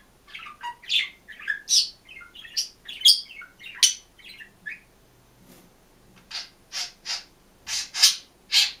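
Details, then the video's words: Green budgerigar alone in a cage, singing and chirping: a rapid chattering warble of varied chirps and squeaks for about five seconds, then a series of loud, sharp high chirps spaced under a second apart. "МИЛЫЙ И ЗАБАВНЫЙ ПОПУГАЙ ПОЕТ И ЧИРИКАЕТ/ОДИН В КЛЕТКЕ"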